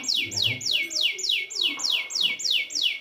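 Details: Canary singing a training phrase for silent birds: a steady run of loud descending swept notes, roughly three per second, evenly repeated throughout.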